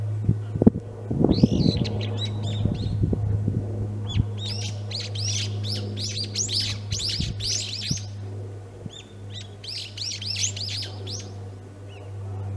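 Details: Brown-eared bulbul in a flowering early cherry tree, Maekubo Central Park, Moroyama, Saitama, Japan, March 17, 2022; rapid series of shrill, squeaky upslurred notes, clustered in two bouts, with constant low machine hum and thumps early on.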